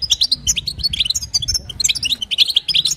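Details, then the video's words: European goldfinch female chatter used to coax a caged male into song: fast, busy twitter of high piercing notes packed tightly over the whole stretch. "بتبتة وستسته حسون تجعل الحسون يغرد فقط اسمعه اذا لم يغرد حسونك اثنى"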